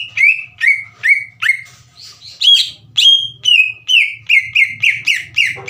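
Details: Leafbird lure song for untrained green leafbirds: several downslurred whistles, a softer scratchy passage, then an accelerating chain of ringing whistled notes about three per second.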